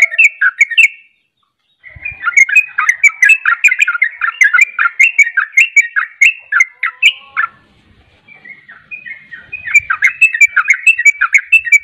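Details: A captive Yellow-vented bulbul, kept for song contests, pours out fast, chattering, bubbly notes almost without pause, breaking off briefly twice before carrying on; no other sounds stand out.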